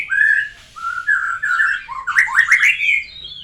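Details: After moulting, a white-rumped shama practises new sounds in a continuous stream of rich, varied whistles. Short dips and rising slurs give way to a quick, bright burst of stuttering notes before smooth whistling resumes.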